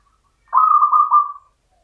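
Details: Single short phrase from a champion local zebra dove in Mataram-style rhythm: three rapid, slightly buzzy cooing notes blending into a smooth fading tone.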